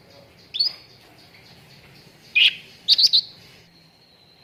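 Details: Cucak ranting training recording for contest birds: a few isolated bright whistled chirps, then a quick cluster of three sharp notes and a thin lingering tone against quiet background.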